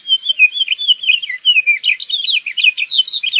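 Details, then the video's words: A House Finch sings a continuous warbling song. Slurred whistles run into quicker, buzzier chirps, all bright and high-pitched, with no other sounds. "House Finch Song! House Finch Call! House Finch Sound!"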